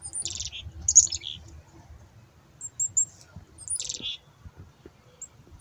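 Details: Black-capped chickadee being hand fed, giving a high thin opening note followed by short buzzy, harsh 'dee' bursts, repeated twice with quiet gaps and faint low rumble beneath.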